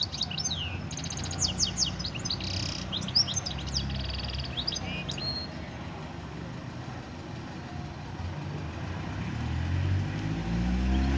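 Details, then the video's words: Goldfinch mule, Algeria, 2018: fast chattering song of crisp high chirps and upward-sweeping notes packed into the first three seconds, then only a low droning background hum that swells near the end. "Mulet chant - Chardonneret- Jilguero di Argelia"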